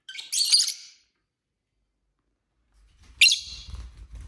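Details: Pet lovebirds kept together at home, two harsh high chirp bursts separated by two seconds of silence, the second accompanied by low rumbling handling noise.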